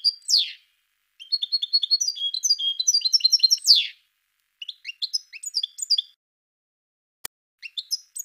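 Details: Goldfinch of the parva type with a buzzy descending note, rapid tinkling twitters, another rasping buzz, then scattered chirp phrases and a single sharp click.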